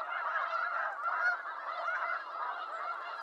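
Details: Snow goose flock calling together: a dense, continuous chorus of overlapping nasal, yelping honks with no pauses, steady in loudness throughout.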